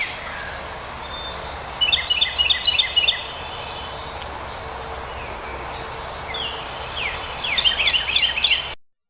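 Carolina Wren singing two bursts of loud, rolling three-note phrases, like 'cheeseburger, cheeseburger, cheeseburger', over steady background hiss, with a faint cardinal in the distance.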